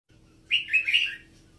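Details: Red-whiskered bulbul, labelled Vietnam and Uttaradit: one brief, bright warbled phrase of three quick slurred notes, rising then dropping, after near silence with a faint low hum beneath.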